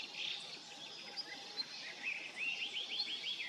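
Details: Long-tailed rosefinch seen arriving as a winter bird: soft thin notes, then a quick run of five or six arched, slurred whistles in the second half, against steady faint outdoor noise.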